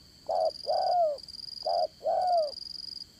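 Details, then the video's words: Spotted dove kept as a trapping lure, Đồng Son voice, dán cổ style: two clear coo phrases, each a short low note followed by a longer slurred note curving down, over a faint high whine. "Bẩy Cu Gáy Dán Cổ, Giọng Đồng Son"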